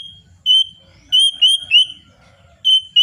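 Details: White-rumped shama singing to rouse other birds: a few clear piping whistles, some held flat and others rising then falling, separated by short gaps, with faint low rumbling underneath.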